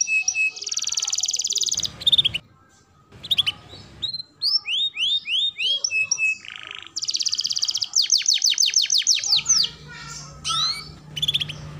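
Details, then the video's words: Canary song used as a training recording for young and adult canaries: fast high trills, rapid repeated upslurred notes and long rolling phrases, broken by short gaps with low background noise. "KENARI GACOR TEMBAKAN ISTIMEWA LANSUNG RESPON MASTERAN TERBAIK UNTUK KENARI PAUD| BAHAN|DEWASA"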